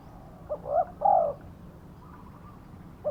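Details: Spotted dove used as a trapping lure, karom-style voice. A brief lead note runs into two rich rounded coos, then a pause and another short note, over faint low rumble.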